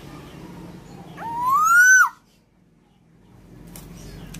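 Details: Tame female black-naped oriole, singing freely: one loud, clear whistle that slides upward and then drops sharply, lasting under a second, followed by quiet with faint background hum.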